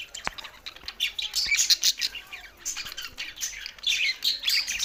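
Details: Budgerigar song: a continuous busy warble of high chirps, squeaky whistles and buzzy notes, with a few sharp ticks and clicks scattered through.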